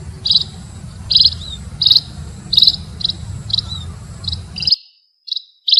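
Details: Munia calling with clipped, high buzzy chirps spaced under a second apart, a low hum underneath until it drops out near the end.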